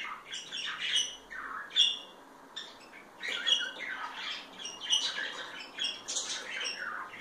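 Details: Two affectionate parakeets, a pair, chattering together in harsh squawks and quick chirps that come in bursts with short gaps between them.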